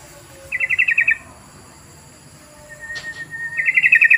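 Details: Yellow-vented bulbul lure call, used to prompt other bulbuls to sing: two bursts of rapid, bright chattering notes, about seven pulses each, separated by a thin steady whistle, over constant high-pitched electronic hum.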